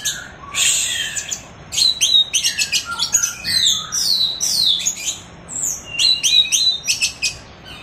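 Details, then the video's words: Orange-headed thrush (anis merah) in 'teler' style, recorded as masteran tutor song for training birds: a dense, rapid run of varied high whistles, sharp chirps and slurred rising and falling notes, nearly continuous over eight seconds. "MASTERAN ANIS MERAH TELER"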